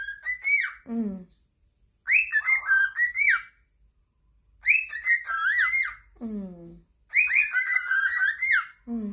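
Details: Several pet cockatiels singing in chorus, competing to please their owner: bursts of bright warbled whistles, rising and falling, broken by quick descending trills and pauses of about a second.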